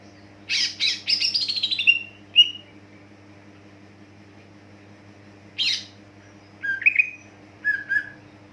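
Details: Greater green leafbird song recorded as a lure to prompt other leafbirds into song. Separate bursts: harsh rattling notes, then a clear whistle, a long pause, one sharp burst, then short whistled phrases. A faint low hum persists.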